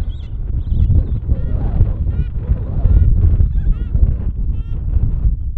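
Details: At the Bull Roads penguin colony, a returning Gentoo penguin sings with its mate to find the nest before changing places. Rapid series of short, nasal, harmonic brays pulses steadily, partly masked by strong low wind roar.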